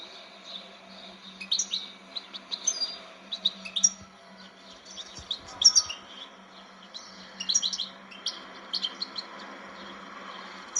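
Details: European goldfinch singing in scattered bursts of high, bright twitters and chirps, with short pauses between phrases over a steady low hum.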